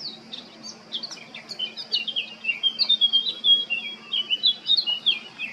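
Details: Male blackcap in Baška, Krk, Croatia, 20 July 2022, singing a lively song: scratchy, hurried twitters opening into a loud flowing warble of clear whistled notes, sliding up and down rapidly, with a constant low hum behind.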